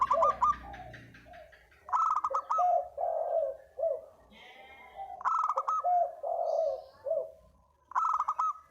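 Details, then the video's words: Lure call of a spotted dove, loud clipped coo bursts roughly every three seconds, each followed by a run of lower, mellow cooing notes; a faint higher chirp is heard midway. "Burung derkuku // deruk pikat"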